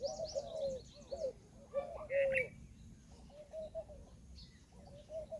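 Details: Peahen of the Indian peafowl uttering grouped, honking mid-pitched calls, a louder burst early then softer repeated notes, with a brief higher chirp from another bird.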